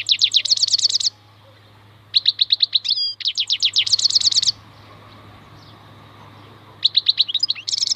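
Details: European goldfinch (maknine) singing in bursts of rapid, high, metallic trills, each lasting about a second, separated by short pauses, over a steady low hum.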